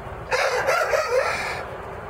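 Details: Chicken giving an odd, wavering crow lasting over a second, with a buzzy, choppy tone, against steady background noise.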